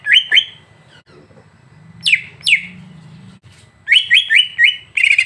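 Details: Greater green leafbird tutor recording to excite another bird: paired rising whistles, two falling sweeps, a brief low murmur, then a quick series of upslurred whistles and a buzzy chatter.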